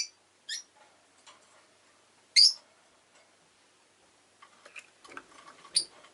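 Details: Kept rosy-faced lovebirds, including an orange bird, produce scattered shrill chirps, one loud and several softer, among light clicking and tapping, with busier clattering noises near the end.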